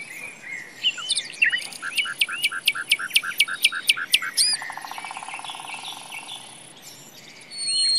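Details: Common nightingale singing in a forest: a rapid series of about ten sharp, repeated piping notes, then a lower buzzy rattling phrase and scattered whistled notes, over a steady high hiss.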